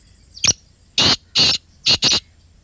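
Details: Black partridge of Pakistan calling at close range: five loud, raspy, buzzing notes, the first clipped, two longer grating ones, then a tightly paired final couplet, over a quiet background.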